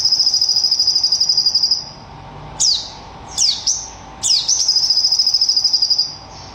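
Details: Sogon bird in tembakan (shooting) song style: a long, fast, high machine-gun rattle, then several quick descending swept notes, followed by another sustained rapid high trill, with a faint low hum throughout.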